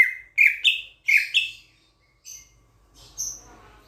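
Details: Sulawesi myna from Sulawesi, a starling known for a loud voice. It gives two pairs of strong, rough, slurred notes in the opening second and a half. Faint high chirps and light rustling follow after a short silence.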